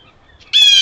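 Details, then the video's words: A blue jay in a Maine forest, riled up with others by a passing canid thought possibly a wolf, gives a sudden, loud, harsh scream, flat in pitch and rich in overtones. "Blue jays screaming"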